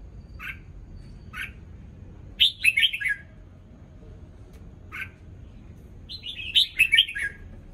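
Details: Newly moulted red-whiskered bulbul giving its morning song: single short chirps spaced apart, alternating with two quick warbled phrases of four or five falling, bubbly notes.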